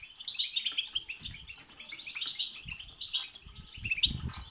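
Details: Goldfinch song played to excite another goldfinch into singing, a rapid tinkling twitter with high clear whistled notes every second or so over constant chattering, soft low knocks underneath.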